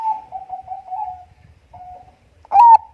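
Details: Bangkok-type zebra dove (perkutut) in full, active song, used as a lure to prompt other birds: low, soft drawn-out cooing notes trailing off, a brief quieter coo, then a louder, sharply rising note near the end.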